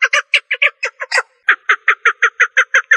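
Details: Female partridge: an irregular burst of rough, strained notes, a short gap, then a steady evenly spaced series of hoarse clucks.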